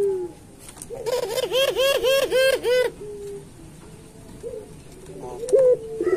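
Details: Puter pelung turtle dove song used as a master recording for training other pelung doves: a run of about eight rapid, scalloped, rolling coos, then quieter drawn notes with faint room noise behind.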